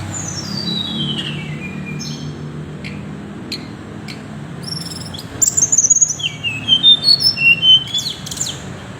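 Tickell's blue flycatcher gives high, thin whistled notes that slide downward in quick series, then a bright trill and a rising string of short notes over a low background hum.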